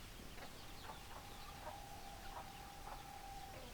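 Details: Chickens, hens and roosters together, giving short soft clucks repeated roughly every half second, over a steady faint tonal hum and a constant background hiss.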